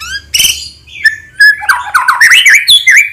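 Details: White-rumped shama in morning song, used to prompt other birds to sing: a short harsh note, then rich whistled phrases with quick rising and falling slurs and chattering notes, loud and varied.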